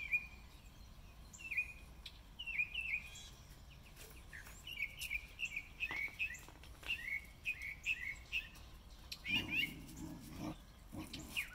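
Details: Mockingbird repertoire on March 26, 2020, singing about spring: a steady stream of varied chirps, slurred whistles and sharp notes, phrases changing every second or so, with a short low rumble near the end.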